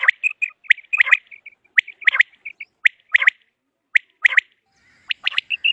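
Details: Common quail calling, recorded for quail hunting: sharp upward-swept notes mixed with clear whistled tones, delivered in ragged clusters roughly once a second, crisp and loud against a silent background.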